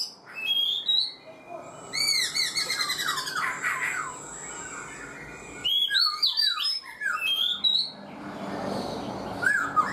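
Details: Black-throated laughingthrush, caged for four months, delivers loud ringing whistles in bursts: fast cascading slurred notes, pauses, then another tumbling high phrase with brief harsh squawks.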